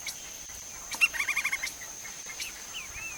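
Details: Lineated woodpecker (Dryocopus lineatus) in Brazil, foraging: one sharp note, then a quick run of about six even, clipped 'wic' notes over roughly half a second. A steady high insect-like whine sounds throughout, with faint other bird chirps.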